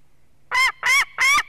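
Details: At a white-tailed eagle nest holding an eaglet in Durbe, Latvia, on 13 August, a live nest camera picks up three loud, rough, honking yelps, evenly spaced and close together.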